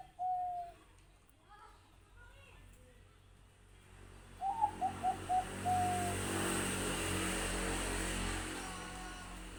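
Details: Bangkok-type zebra dove cooing: one short coo, then a quick series of soft, clipped coos ending in a longer held note, partly buried under steady hissing vehicle noise.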